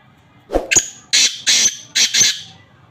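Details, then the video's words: Black francolin (kala teetar) call at close range: two short ticking notes lead into four loud, coarse, grating syllables in an uneven rhythm, then quiet background. "کالا تیتر آواز"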